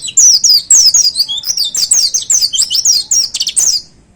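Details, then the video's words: A hanging cage holds a white-eye pouring out the prized 'tembakan' song: about four seconds of nonstop, rapid, shrill twittering notes sweeping downward, delivered loudly and close. "Suara Tembakan Dahsyat Pleci Gacor Paling Digemari Para Plecimania Digantangan"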